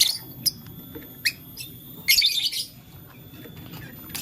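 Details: Blue, lutino and green lovebirds playing with a flower give scattered high chirps, then a dense scratchy burst of rapid chirping lasting about half a second, with a steady low hum behind.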